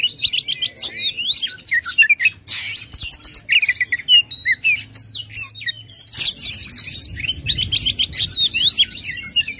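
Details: Aggressive Oriental magpie-robin song, the bird spreading its tail, meant to prompt a silent kacer to sing. Loud mixed phrases of clear looping whistles, harsh buzzes and rapid chips, with a short break midway.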